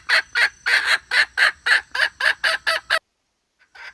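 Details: Hen red junglefowl giving a male-attracting call: about a dozen loud, raspy clucks at a brisk, fairly even pace, stopping abruptly, followed by near silence and one faint final note.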